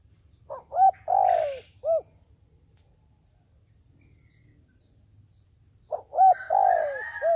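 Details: Dove kept as a trapping decoy, cooing to attract wild doves: two matching phrases about four seconds apart, each quick clipped coos, a long drawn falling coo and a closing short coo.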